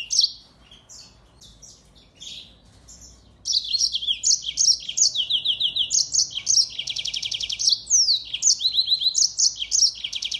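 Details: Mozambique finch, a singing finch called African canary, singing as a tutor song for songbirds: a quieter start of scattered chirps, then a sustained stream of fast trills, buzzy rattles and descending whistled notes.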